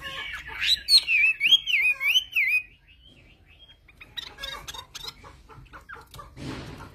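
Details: A Chinese hwamei from the mountain forests of Vietnam's Central Highlands sings a rich, looping run of rising and falling whistles about two seconds long, followed by quieter scattered chips and clicks.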